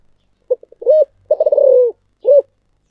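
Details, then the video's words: Spotted dove singing the thổ sấm voice: three short soft notes, an arched coo, a long trembling coo sliding down in pitch, and a single closing coo, low and hollow, with quiet surroundings. "cu gáy giọng thổ sấm// cu gay moi chuan mp3 thổ sấm"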